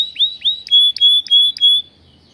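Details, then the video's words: Caged canary in a breeder's aviary singing a short phrase: two upswept whistled notes, then three sustained pure whistles near the same pitch with sharp clicks between, ending abruptly. "O CANTO desse CANÁRIO,vai esquentar seus filhotes"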